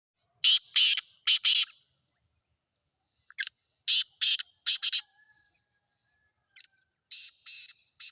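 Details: Black francolin of the Sindhi type, known locally as kala teetar: harsh, grating broadband notes in clusters of two to four, separated by silent gaps, with fainter scratchy notes near the end; otherwise quiet.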